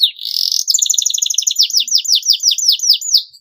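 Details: Canary singing to stimulate young birds to learn: a brief buzzy burst, then a fast trill easing into a string of loud downslurred chirps.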